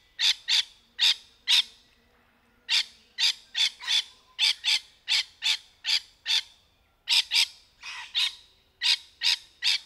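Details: Rainbow lorikeets in trees, dense series of short rasping screeches, mostly in pairs and threes, with one brief pause before the burst resumes.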